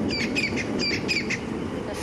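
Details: In Sabi Sand at sunrise on 29 March 2016, a francolin gives harsh, grating notes in quick repeated bursts over a low vehicle engine rumble, while a leopard is searched for amid monkey alarm calls.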